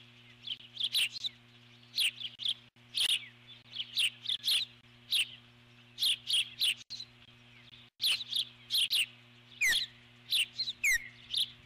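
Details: Female eagle on her nest giving alert calls as a large intruder bird flies past, with bursts of high, shrill chattering notes coming in quick clusters, separated by short pauses, over a steady low hum.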